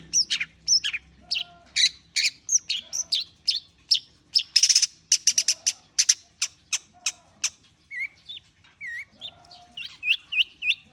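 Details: Long-tailed shrike warming up its voice with a dense, fast jumble of scratchy chips, rattling bursts and high squeaks, later broken by a few clearer upturned whistles, over a quiet background.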